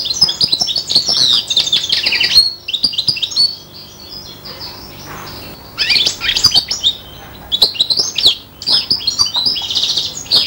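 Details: Five-month-old hybrid of a male serin and a bronze female canary imitating goldfinch song: rapid high twittering phrases with buzzy trills, broken by short pauses near four and eight seconds, with faint clicks below.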